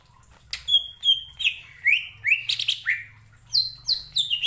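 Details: Greater green leafbird singing to provoke rivals into song, a lively sequence of whistled and buzzy slurred notes in quick succession, over a steady low hum.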